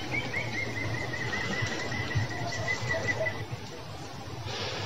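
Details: European green woodpeckers on 13 July 2020 give a fast, laughing, whinny-like series of evenly spaced notes lasting over three seconds, with a low background rumble and a brief noise burst near the end.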